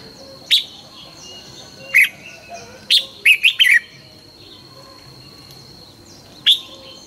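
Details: Morning training song of a red-whiskered bulbul in 'căng lửa' (fired-up) style: scattered short, sharp chirped notes about a second apart, then a quick cluster of three lively warbled phrases, and one final note after a long pause, over a thin constant background tone.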